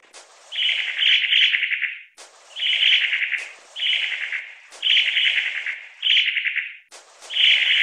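Long-tailed tit giving dry, buzzy churring calls about a second long, repeated five or six times with short gaps and no other sounds.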